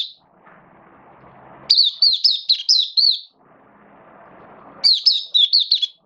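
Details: Kept oriental white-eye, or mata puteh, singing openly on 11 September 2022 with form slightly down: two fast runs of high, looping twittered notes, each run about a second and a half, with soft low rumbling noise between them.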